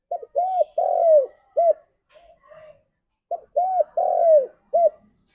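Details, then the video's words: Spotted dove calling its companions, used as a lure call: two cooing phrases, each a quick clipped note, an arched coo, a long drawn-out falling coo and a short closing coo, with soft low murmurs in between. "Pancingan Tekukur - Suara Burung Tekukur Memanggil Temannya"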